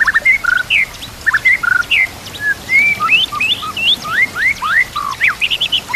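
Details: White-rumped shama song used as a training and lure recording for fighter birds: rich varied whistles, rising slurs and quick chirps in dense continuous phrases, with a faint hiss of nature sounds and trickling water behind.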